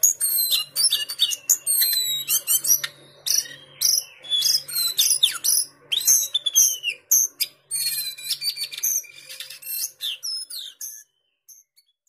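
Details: Lesser shortwing from a caged collection in Pekanbaru delivering fast, sweet phrases of piercing high notes, slurred whistles and rattling trills, bursts separated by short gaps, ending in quieter scattered notes over a faint low hum.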